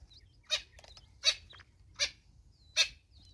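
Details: Natal spurfowl, a mother with chicks in South Africa: short, harsh, rasping bursts about every 0.7 seconds, with faint thin whistled peeps between them.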